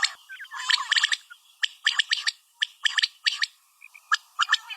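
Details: Calls of a female common quail, given as rapid clusters of dry, scratchy clicks and short chirps, repeated about once a second, with brief soft piping notes between them.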